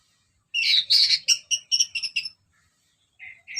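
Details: Orange-headed thrush in full ngeplong song, used to provoke other birds: a rich burst of rapid, warbled, chattering notes lasting under two seconds, a pause, then two short whistled notes.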